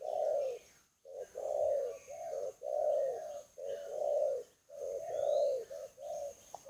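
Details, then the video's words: Soft, somewhat distant spotted dove coos used as a lure call, a continuous sequence of rounded low hoots of varying length with a steady high faint tone and a sharp click at the very end. "SUARA MEMIKAT BURUNG TEKUKUR\BERKUKUR"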